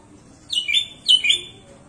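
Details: Lively sooty-headed bulbul song: a pair of quick, liquid, downward-slurring phrases half a second apart, bright and clear over a soft low hum.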